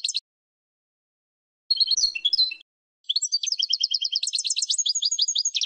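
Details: European goldfinch in spring, recorded as training song for cage birds: a short high note burst, a scratchy twittering phrase, then a long fast stream of tinkling, buzzy trills and chirps continuing to the end.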